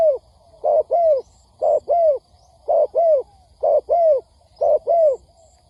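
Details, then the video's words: Trapping lure of a spotted dove: steady paired coos, the second note longer and sliding down, recurring about once per second over a quiet background. "Tiếng Chim Cu Gáy kích bổi nhanh nổi"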